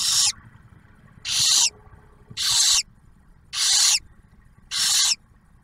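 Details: At a nest box in Ottawa National Wildlife Refuge, Ohio, barn owls with a newly hatched owlet at its first meal: five loud, rasping, breathy hisses, each about half a second long, repeated roughly every second.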